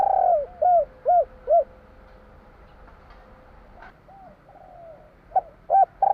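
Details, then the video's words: Javanese spotted dove singing the 'kuk 3' style: a quick run of four soft, mellow coos, a pause with faint lower notes, then further clipped coos closing in a longer hooting note. "Suara tekukur kur 3 besar / burung tekukur suara/Terkukur Kuk 3/ bunyi burung tekukur jawa kuk 3"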